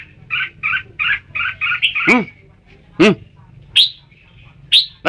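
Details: Red-whiskered bulbul giving a quick run of six chirpy double notes, then sharp bright accented notes; two loud downward sweeping squeaks break in midway over a low background hum.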